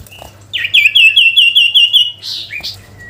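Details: Sooty-headed bulbul singing to call a rival: a long, high, steady whistled trill with rapid warbling ripples, ending in short higher notes and a low faint hum beneath.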